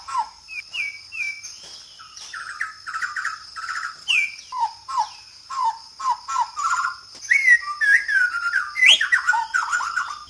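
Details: White-rumped shama (murai batu) singing in Borneo, Sabah; a varied run of rich whistled phrases, falling slurs and short chirps delivered in quick succession, with a steady high insect hiss behind.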